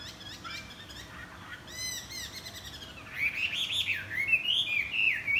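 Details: Chinese hwamei greeting the morning with wing flaps: soft, scattered notes and a brief chattering burst at first, then loud, fluid whistles rising and falling in a long rolling phrase.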